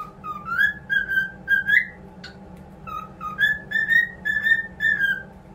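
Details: Clean whistled song from cockatiels in a cheerful mood: smooth, rising whistles, each gliding upward and held, repeated in a steady series with one brief gap midway.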